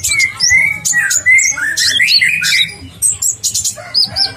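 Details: Olive-backed sunbird singing prolifically, a masteran tutor clip: clear level whistles alternate with rasping high chirps and rising slurs, ending in short sharp notes, over quiet low music.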